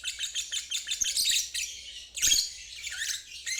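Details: Lovebird ngeriwik trill for teaching fledglings and stuck birds: continuous high rasping chatter with a louder squeaky burst after two seconds.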